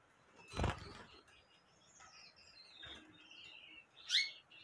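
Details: Gouldian finch singing softly: a knock, then a faint, high warbling run of thin sliding notes, ending with a brighter sharp chirp; light clicks in the background.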